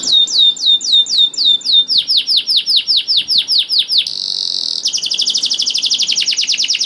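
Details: Vigorous canary singing as a prompt for canaries that rarely sing. Repeated falling whistles, a run of arched notes, a brief buzzy ringing note, then a rapid high trill.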